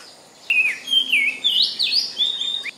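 A magpie sings a high, sweet warble of gliding whistled notes that rise and fall in an unbroken run of about two seconds, over a quiet background.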